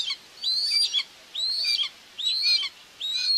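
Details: A mother common buzzard feeding two chicks at a nest in Tiszalök, Hungary, on June 2, 2024, on a live webcam; four high, strained whistles, each rising slightly and then dropping, about 0.8 seconds apart.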